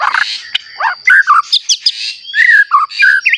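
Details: White-rumped shama singing to provoke other shamas: a mix of scratchy bursts, short whistles and slurred phrases in irregular bunches, with a faint continuous high whine.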